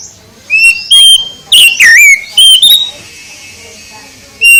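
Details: Morning song of an Oriental magpie-robin: loud, separate whistled notes, some held steady and others sliding down then up, broken by short pauses.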